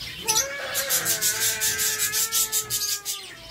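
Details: A long, level nasal call from a zebra finch eating seeds in a captive breeding setup in Sargodha, lasting nearly three seconds, overlaid by a rapid regular series of sharp cracking seed-husking sounds.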